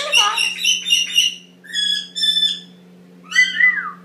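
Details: Male Indian ringneck parakeet, eight months old, a pet practicing talking in the shower: loud harsh squawking phrases, then repeated clipped harmonic notes and a falling whistle, all over a steady low hum.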